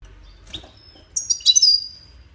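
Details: Goldfinch singing, used for song training and to stimulate breeding birds to mate: after a faint opening note, a short burst of high, liquid twittering with a thin buzzy trailing tone.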